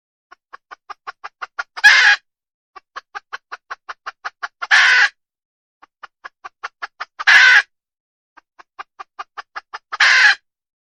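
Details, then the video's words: Female red junglefowl giving four cycles of accelerating clucks, each series of rapid, evenly spaced pulses ending in a loud raspy burst, repeated roughly every three seconds against a clean, silent background. "Suab poj qaib qus tsauj dib tuaj zoo heev"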